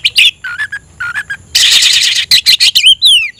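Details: Caged oriental magpie-robin in challenge song calling a rival to fight: short whistled notes, a loud harsh buzzy burst, then sharp chips and a long falling whistle.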